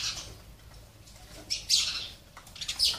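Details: At a home water and food feeder, sparrows make sharp high chirps: a few isolated notes, then a quick pair about halfway through and another burst near the end, over quiet background hiss.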